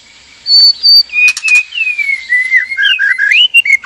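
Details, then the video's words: White-rumped shama pair, male and female, in a breeding cage during mating arousal; two clear high whistles, then long sliding whistled notes that descend and wander, with a brief rustle of wings. "PANCINGAN BIRAHI KAWIN MURAI BATU JANTAN DAN MURAI BATU BETINA DIKANDANG PENANGKARAN"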